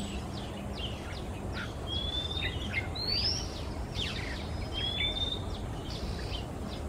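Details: In Singapore a male Oriental magpie-robin sings through a quiet afternoon, flitting from perch to perch; sweet upslurred whistles alternate with brief harsh scratchy notes, with constant low hum and hiss behind.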